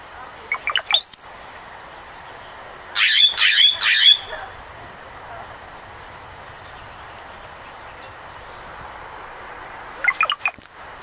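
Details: California quail family on a morning at Alviso Adobe Park give a few harsh, squawky bursts between thin, high chirps from small songbirds against a quiet outdoor hush.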